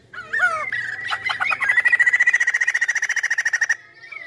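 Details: Chinese hwamei singing: a pair of curved whistled phrases, a stutter of sharp notes, then a long loud trill of fast evenly repeated notes that stops abruptly.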